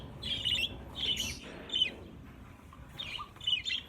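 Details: A flock of about 50 caged budgerigars being moved into a larger flight cage; a few bursts of sharp, scratchy chirps and squawks, then a quieter gap before more chirps, with low background rumble.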